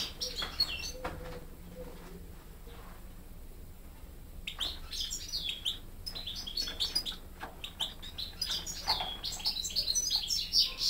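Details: Young European goldfinch hybrids, raised hearing only goldfinches, taking song lessons from a better-singing goldfinch besides their father, 2013; scattered high chirps give way after four seconds to dense, rapid, high-pitched twittering with buzzy notes and quick trills.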